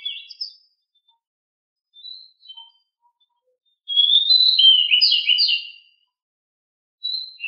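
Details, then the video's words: Pied bushchat (decu), a home-kept bird, as master song for training. Faint scattered chirps give way to a loud two-second run of rapid, warbled whistles, then a final brief note. "decu rumahan gimana gak langsung gacor dengan masteran super ini"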